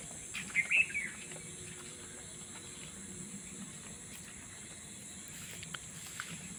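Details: Unidentified bird heard before dawn, around 3 to 3:30 a.m., on an empty quiet road; a short high chattering phrase of several notes near the start, then steady hiss with faint ticks.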